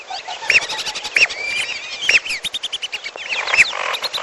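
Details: Lesser whistling duck in a mixed lure track with piolo, used for trapping birds. Several clear arched whistles stand out between busy overlapping chatter, rapid ticking notes and squeaks from other birds.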